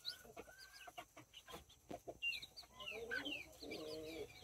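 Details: Mini and Brahma chicks, nine in all, with two mother hens, October 24, 2024. High arching peeps come thick and overlapping, while the hens give a run of soft, rapid low clucks toward the end.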